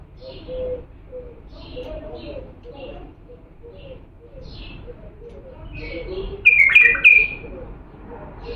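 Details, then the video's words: Authentic Diyala bulbul from Iraq, played for teaching young birds to sing: after soft, scattered chirps over a low murmuring background, a loud burst of clear whistled notes with sharp descending slurs arrives near the end. "تغريد بلبل ديالى الاصيل لتخريج الافراخ"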